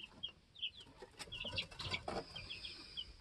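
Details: Two-week-old baby chicks in a homestead coop, learning to fly, hopping around and challenging each other for pecking order; short high peeps in scattered runs, with faint rustling and a few knocks.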